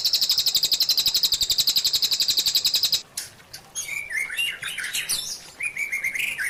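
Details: White-rumped shama song from a masteran training recording for caged birds: a fast, even, very high trill for three seconds, then varied clear whistled and chirpy phrases jumping between pitches, ending with a short rising run.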